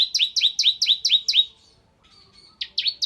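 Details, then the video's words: Ciblek kristal, a prinia, singing actively in the nembak ngebren style: a rapid run of seven bright, sharp chirps at steady pace, a brief pause with a thin high whistle, then more quick chirps. The background is quiet. "Suara Burung Ciblek Kristal Gacor"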